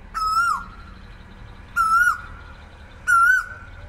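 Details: Asian koel calling in the morning: three clear, whistled 'kooo' notes, each about half a second long, slightly rising then dropping, repeated roughly every one and a half seconds over quiet background.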